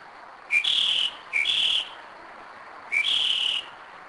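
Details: Mockingbird singing in the night at 2am, Kennesaw, Georgia, a bird returning yearly to the same spot; a short upward note leading into a sustained bright whistled tone, repeated three times with brief pauses.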